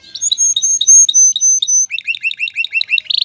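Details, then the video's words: Male canary song for stimulating a female to mate and nest: sustained high whistle over spaced lower notes, then a quick series of rising chirped notes, closing with a short buzzy trill. "اقوى تغريد ذكر الكناري لتجهيز انثى الكناري للتزاوج و تحفّزها على بناء العش CANTO CANÁRIO"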